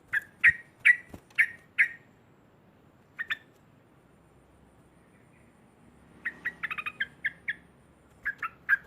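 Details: Loud cackling song of a sooty-headed bulbul, used to provoke rivals: five harsh repeated notes, a pause, a lone pair, then a longer jumbled burst of clipped notes and a closing trio.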